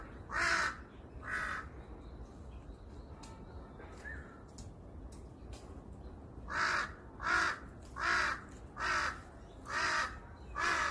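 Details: Crows on a wooded hill in Seongbuk-dong, Seoul: harsh, broad cawing in two bursts, two caws near the start, then six evenly spaced caws about every 0.8 seconds after a quiet gap, with faint higher birdsong in between.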